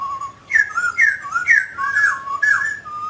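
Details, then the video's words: Mutant grey laughingthrush in song while dancing: clear whistled phrases that rise sharply then slide down, repeated about every half second in a flowing warble. "Chú chim khứu xám tro đột biến hót múa cực đẳng cấp"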